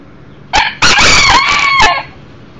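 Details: Young Millefleur d'Uccle bantam rooster, one year old, crowing inside a house on a July visit: a brief hoarse lead-in note followed by a long, loud, strained crow whose final pitch drops away.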